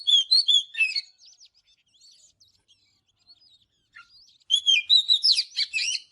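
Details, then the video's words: Morning song of an Oriental magpie-robin: a burst of quick whistled notes, then soft scattered chirps, then a loud, dense, jumbled phrase of high whistles and trills. "เสียงนกกางเขนบ้านหรือนกบินหลาขี้ควายใต้ Chòe than HÓT SÁNG"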